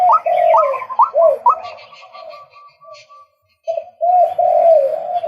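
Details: Male White-breasted waterhen: four rising croaks over a lower drawn-out tone, a quiet gap, then loud, low, sustained wavering sounds.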